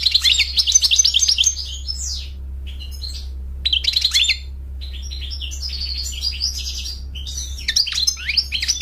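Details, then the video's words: Male European goldfinch singing a fast, liquid twitter of high chirps and slurred notes in bursts separated by short pauses, with a steady low electrical hum underneath. "Cute goldfinch He songs amazingly and engaging"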